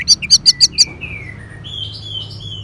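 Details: Orange-headed thrush used as a song lure for caged birds: five quick, bright, high notes in a row, then long descending slurred whistles and softer warbling phrases.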